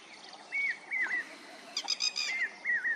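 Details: Whistled lapwing calls, each a quick upslur dropping into a lower wavering ending, repeated three or four times. A short rattling burst of harsh, buzzy, layered notes breaks in midway against soft outdoor hiss.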